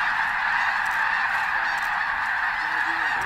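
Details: Snow geese blasting off together before dawn on a cold December morning at Bosque del Apache National Wildlife Refuge, thousands of honking voices merged into a steady wall of sound.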